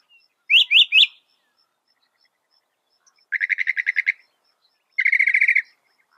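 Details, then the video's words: Singing Northern mockingbird (Mimus polyglottos): three loud rising chirps in quick succession, a pause, then two fast rattling trills of evenly spaced clicks, each lasting under a second. "Masteran Burung Kicau Mockingbird Gacor - Mockingbird Bird Sound"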